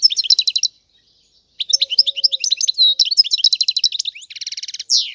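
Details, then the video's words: European goldfinch singing fast twittering phrases with liquid trills, ending in a dry buzzy rattle and a sharp note, with a brief pause early on. "تغريد الحسون"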